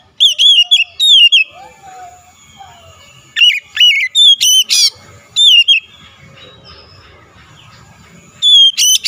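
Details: Lure song of an oriental magpie-robin meant to trigger a rival to sing: bursts of sharp, repeated whistles and a harsh rasping note, separated by quiet gaps with soft background warbles.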